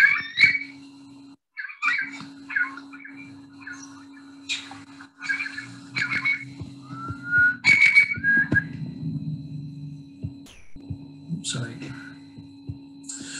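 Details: A Eurasian curlew, a bird of uplands and coastlines, gives clear, rising whistled notes that slide upward, played indoors over a steady electrical hum with short bursts of other sounds between.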